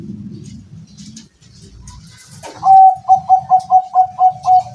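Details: Zebra dove kept at a house calls a fast series of about eight short, even coo notes on one steady pitch, after a quiet stretch of low rumbling background.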